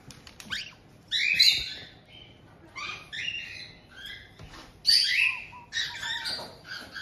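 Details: Caged white-bellied caiques in Tokachi, Hokkaido, Japan, June 2023, with an adult pair receiving a chick just over two months old. Scattered rasping squawks and clicks in uneven bursts, two louder squawks standing out.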